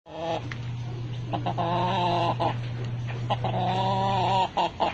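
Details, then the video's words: Red gamecock (fighting rooster) crowing: strained, harmonic crows in drawn-out bursts, one long and one shorter, over a steady low hum with scattered knocks and clicks. "MANOK NA PULA, PANABONG NA MANOK"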